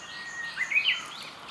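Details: Japanese bush warbler singing in Ohori Park on 1 April 2015: a long, steady whistled note, then a quick rising, warbled flourish at a higher pitch, over a soft background hiss.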